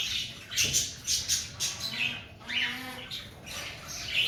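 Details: Breeding-season cockatiels calling in a run of harsh, raspy squawks repeated roughly twice a second, some notes rising or falling in pitch, with a faint low hum beneath.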